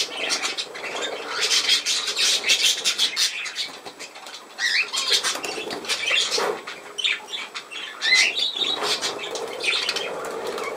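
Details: Continuous high chattering from budgerigars, harsh buzzy warbles packed closely together, rising and falling in loudness, with flutters of wings and a few clear chirps.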